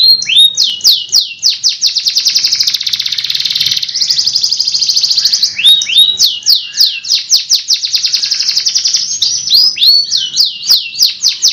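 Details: Canary singing long rolling song for training: rapid downslurred notes merge into a dense buzzy trill, then the quick rolling phrases return with scattered rising slurs; faint low rumble behind.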